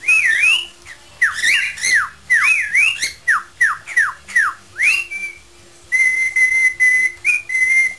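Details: Pet parrot improvising a whistled tune, repeating swooping up-and-down notes about every half second, then switching to three long, steady whistles.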